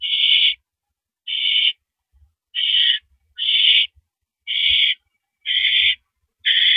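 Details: Owl at 10:30 PM on April 5, 2012, at the nest during a mouse delivery, giving seven harsh, airy screeches of similar length at a somewhat irregular rhythm near one per second.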